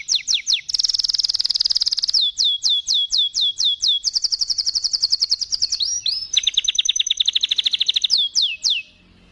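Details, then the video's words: Canary singing a long, bright chirping song: fast downslurred whistles repeated in series, rolling high trills, and a run of sharp descending notes. "kenari Cuit cuit gacor panjang"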